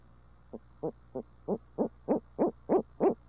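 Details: Urbanized barred owls in Midtown Tulsa, part of a long hooting bout with monkey calls: eight low hoots about three per second, each louder than the last, against a steady low hum.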